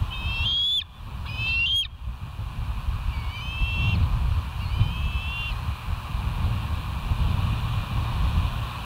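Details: Bald eagles at West End, live cam, 25 July 2023 at 05:10. Two sharp whistled calls at the start, then two faint, more distant whistles. Persistent low rumbling noise throughout.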